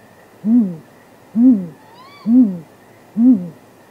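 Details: Midnight courtship of great grey owls, 23 April 2019, off camera at a nest site, possibly mating: four deep, even hoots about a second apart, a single higher arching whistle heard between the second and third.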